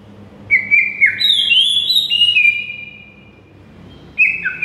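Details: Tutor song of a white-rumped shama, played to make silent shamas sing: long, pure, sustained whistles held at steady pitch with sharp step changes, then a short pair of falling notes after a quiet gap.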